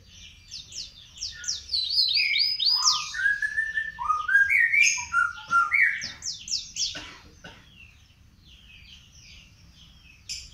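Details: Panda canary youngster practising song, with a run of quick descending slurred notes stepping lower in pitch, some scratchy chatter, then fading to quiet low background noise with a brief final chirp.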